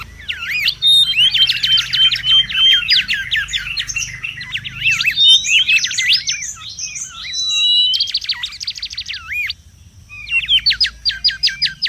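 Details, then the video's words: Mangrove whistler singing restlessly in the wild, for luring and song tutoring: long stretches of very fast, repeated whistled loops and trills, a short silence, then another quick string. "SUARA PIKAT DAN MASTERAN BURUNG KANCILAN BAKAU RIBUT DI ALAM LIAR"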